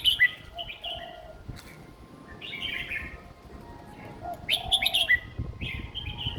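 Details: Young caged red-whiskered bulbul with a simple song for other young birds to copy; two bursts of bright, bubbly whistled notes separated by quieter slurred whistles, with a faint hum beneath.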